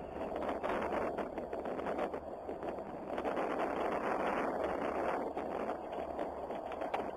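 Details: Heavy wind buffeting and a low, steady engine rumble fill the recording, with no animal voice heard.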